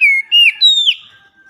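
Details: Brief burst from an Oriental magpie-robin (kacer) in a loud, chatty daily lure song: three quick, clear whistled notes, each sliding downward.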